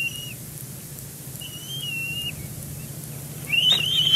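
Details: At a Big Bear Lake nest on 12 May 2022, filmed by a live camera while nest material is arranged, a bald eagle gives a few sparse high whistled notes, followed by a louder rising squeal and some rustling near the end.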